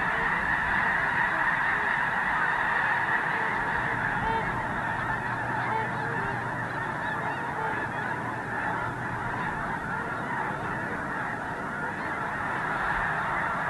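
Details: Geese massed on an iced-over refuge in Missouri at dawn, about to fly out to feed in nearby fields; a steady wall of countless overlapping honking calls, individual honks briefly standing out, unbroken for the whole stretch.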